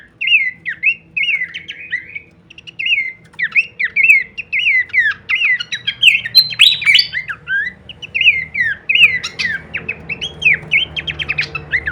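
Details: Pelanduk semak, or Horsfield's babbler, singing varied kleperan phrases for songbird masteran training: rhythmic slurred whistles and chips run steadily for twelve seconds, growing busier midway, over faint low background noise.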